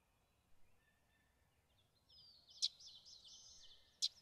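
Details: A common yellowthroat in Maine sings a high, rapidly wavering warble that rises and dips for about two seconds, broken by two sharp clicks, over a quiet background.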